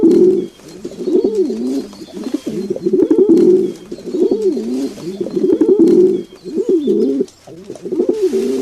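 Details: Continuous pigeon cooing: repeated low, throaty rolling phrases that rise and dip, coming in steady bursts with brief gaps over several seconds.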